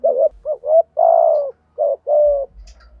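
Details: Captive decoy spotted dove cooing to stir wild doves into calling: quick short hoots and two long, steady, slightly falling coos, with low rumbling noise at the end.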